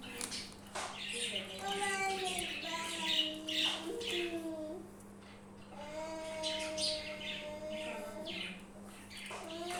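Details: Parrots making noise: drawn-out, tonal, slightly nasal calls, some steady and some bending in pitch, in two bouts with scattered sharp chirps, over a constant low electrical hum.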